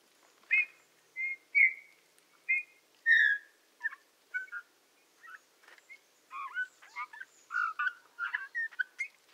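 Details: Eurasian bullfinch singing in the Tula Zaseki forest, Tula Oblast, Russia, on 18 March 2015: soft, quiet piping whistles and short creaky, squeaky notes, spaced at first, then coming in a denser warbling run, in a still background.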